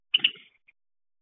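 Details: A pet Java sparrow at midday gives two quick, bright high chips in rapid succession, then one faint soft note after a short pause, in an otherwise quiet room.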